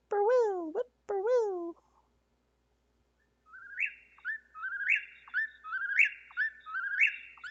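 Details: A person speaks briefly, then an Eastern Whip-poor-will sings, repeating its whistled, rising 'whip-poor-will' about once a second, each phrase ending in a sharp upward snap.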